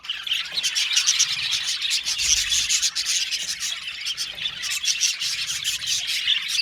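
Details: Australian budgerigar colony kept in an aviary, busy overlapping chirps and raspy chatter, with sharp clicking bursts and occasional louder squeaks over the flock's constant twitter.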